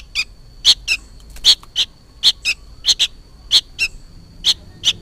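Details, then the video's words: Juvenile sooty-headed bulbul, noisy and seemingly calling for its parent: short, sharp, harsh high chirps, often in quick pairs, around a dozen over five seconds, with a thin steady high tone behind. "suara burung kutilang anakan gacor ribut seperti memanggil induknya"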